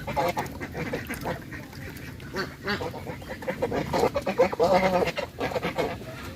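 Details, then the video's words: Bangladeshi goose making loud sounds: a jumble of short, rough, nasal honks that rise and fall in irregular bursts, loudest midway, over splashy background noise. "Bangladeshi Goose Making Loud Sounds"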